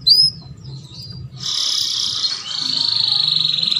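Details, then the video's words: Canary lure song for mating: a single sharp upswept chirp, a short pause, then a sustained high, buzzy trill that pulses steadily to the end. "KENARI APAPUN LANGSUNG GACOR MINTA KAWIN !"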